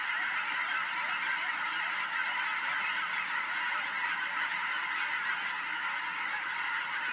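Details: Large flock of geese taking off at William L Finley National Wildlife Refuge, honking in a thick overlapping chorus, individual nasal honks standing out repeatedly above the steady roar of calls.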